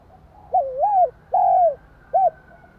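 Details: Spotted dove coo meant to provoke another dove. One phrase begins with a rising-and-falling wavering note, then a long steady coo sliding downward, and ends with a short soft note, over a low background hum.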